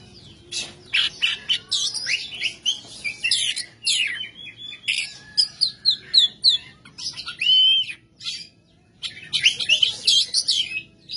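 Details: Oriental magpie-robin, caged songbird, in rough 'materi kasar' style: scratchy buzzes, sharp clicks and brief whistled slurs in quick bursts, with short gaps between phrases and faint low background hum.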